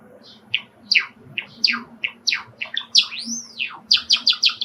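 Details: Pet male Java sparrow, sakura (pied) colour, singing indoors by an open screened window, excited by wild sparrows calling in a park outside: rapid series of clicking, bell-like high notes with a long looping whistle, about 4.7 seconds.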